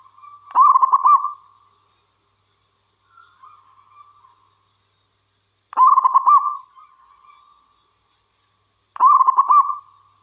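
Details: Over ten seconds, a local wild zebra dove used to stimulate other doves' singing repeats its rolling, rapidly pulsed coo three times at uneven intervals, with a faint soft phrase between the first two.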